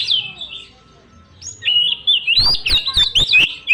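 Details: Oriental magpie-robin, young and wild-caught, singing a persistent lure song with mimicked elements: a brief whistled phrase, a quiet gap, then rapid looping whistles punctuated by loud percussive clicks.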